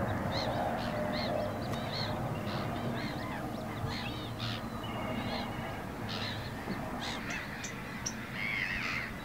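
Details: Eurasian coots, a pair feeding little chicks; a busy run of brief high arched peeps and calls, quick and irregular, over a constant low rumble of background noise.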